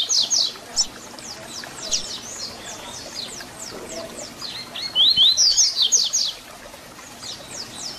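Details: Double-collared seedeater (papa-capim) repeating its 'Tui Tui Zel Zel' fibra song for young birds to learn: steady, quick, thin high downslurs, broken by a loud, dense flurry of sharp whistles around the middle.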